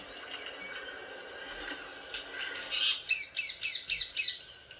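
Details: Pet Indian ringneck parrot kept at home, a green bird about 40 cm long, giving a run of six sharp, squawky notes about one every quarter second after a stretch of hissy background noise.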